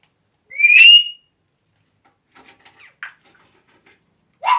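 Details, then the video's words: African grey parrot giving a loud, sharp whistle with bright overtones that rises slightly and lasts under a second. Faint soft chatter and clicks follow, then a second whistle begins at the very end. "Talking African Grey Parrots"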